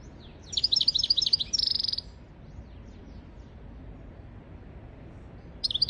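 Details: Tutor song of a European goldfinch for goldfinches and canaries: a rapid twittering phrase ending in a brief harsh buzzy note, a few faint slurred notes, then silence before a new twittering burst starts.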